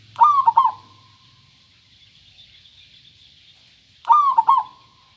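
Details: Local zebra dove, clear-voiced, repeating a short bubbling coo about every four seconds: each phrase a rising note and two or three quick pulses with a trailing tone.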